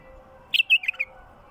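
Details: Wild bulbul singing: a brief burst of about five quick, slurred, chattering notes packed into half a second, then silence over a faint steady background hum.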